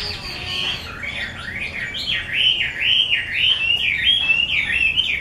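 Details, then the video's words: Chinese hwamei of the 'mơ' type, an artisan's prized singer, pouring out a long rolling series of swooping whistles, each dipping then climbing, growing louder midway through. "Họa mi mơ siêu vip bộ cực đẹp, hót cực hay của nghệ nhân"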